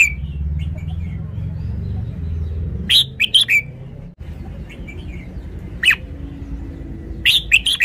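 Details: Red-whiskered bulbul singing two short bursts of four or five bright, chirpy whistled notes, about four seconds apart, over a steady low rumbling background.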